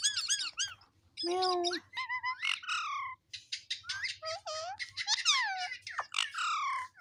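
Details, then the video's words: Pet talking parrot repeating the word "Mitthu" in a sweet voice; a rapid series of harmonic squawks and speech-like chirps with frequent bends and rising-falling sweeps, separated by short pauses, with a faint low hum beneath. "Mitthu Mitthu Talking Parrot"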